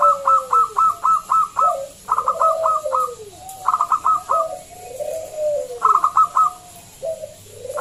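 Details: Loud local zebra dove singing as a lure to call other doves into song; quick runs of five to seven staccato higher notes alternate with low, drawn-out descending coos, repeated steadily throughout.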